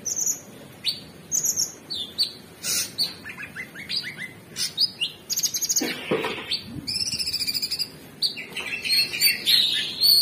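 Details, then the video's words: Lively gacor singing by an Orange-bellied Leafbird: varied whistles, chittering chirp runs, a rapid buzzy trill and bright high rising notes tumbling together over ten seconds. "Cucak Cungkok Super gacor"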